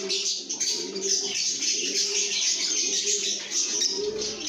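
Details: Lovebirds in a happy mood, singing and chirping: a dense, continuous high-pitched chatter of many overlapping twittering notes, with soft low cooing underneath.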